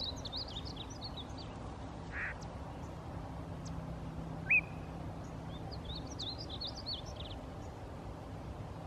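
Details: At Rattlesnake Springs, New Mexico, on May 6, 2016, a male painted bunting sings quiet, high-pitched twittering phrases, one at the start and another near the end, separated by one loud sharp chip, against a constant low rumble.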